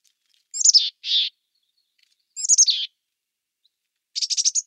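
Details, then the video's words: Mountain chickadee giving three high chick-a-dee calls: thin sliding opening notes, then husky buzzy dee notes, ending in a rapid burst of rough dees, with no other sounds. "Mountain Chickadee Call"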